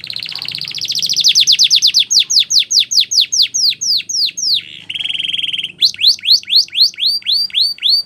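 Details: Training song from a canary: a rolling high trill that accelerates, breaks into a chain of loud swooping downward notes, a short buzzy roll, then more bright downslurred notes.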